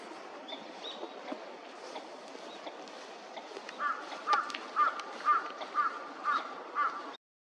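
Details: Northern Shoveler in a park pond in Chiba, Japan, February 2026, a winter visitor, giving short nasal duck calls repeated about twice a second over steady background noise.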